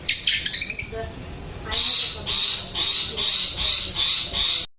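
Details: Long-tailed shrike, kept by Indonesian songbird hobbyists, in flowing song: a rapid stutter of high ticking notes, then a series of harsh, rasping squawks about every half second.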